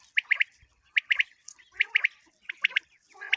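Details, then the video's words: Common quail calling, a recording used for quail hunting: crisp three-note phrases, each note a sharp clipped burst, the triplets repeating roughly every 0.8 seconds against a quiet background. "Batair ki awaz | common quail calling"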